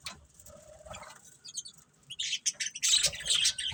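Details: Quiet scratchy chatter and a soft whine at first, then budgies break into louder high chirps and squeaky bursts in the second half.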